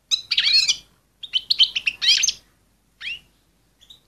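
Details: Female European goldfinch, described as excited, calling to get males ready quickly: rapid runs of high, tinkling twitters and chirps in two dense bursts, then a single chirp and a final clipped note after a pause.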